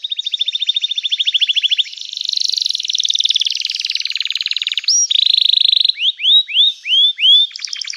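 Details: {'text': 'Loud canary song, offered as a lure to get silent canaries singing. Long rapid trills and a buzzy rolling passage, a flat sustained note, then a run of separate upslurred whistles and a closing rattle.'}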